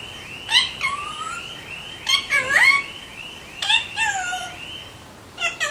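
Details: Alexandrine parakeets calling: several loud harmonic squawks and rising-then-falling whistled notes in scattered bursts, some overlapping, with quiet gaps between.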